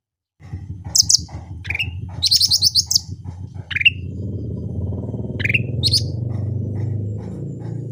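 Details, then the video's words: Natural-voiced cucak rante sings busily: high piercing chips, a buzzy trill of rapid notes, and several short rising whistles, with loud low rumbling noise growing through the second half. "CUCAK RANTE GACOR SUARA ASLI"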